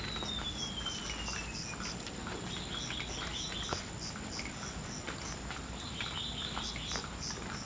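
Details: A wild Golden-bellied Gerygone (Gerygone sulphurea) in Indonesia sings a thin, high whistle that slides downward, then short clusters of high sweet notes, over a steady shrill drone of insects.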